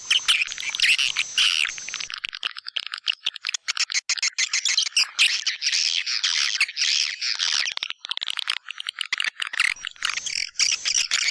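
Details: White-nest swiftlet lure call, a type used to draw birds into swiftlet houses, tested in East Kalimantan, Indonesia: dense, buzzy, rasping twitters in rapid overlapping bursts, with brief gaps, continuing throughout without other sounds.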